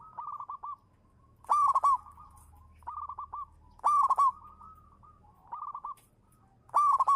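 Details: Lure zebra dove of local type in full song: short trilled coo runs alternating with loud ringing climax notes, phrases following each other roughly every two seconds.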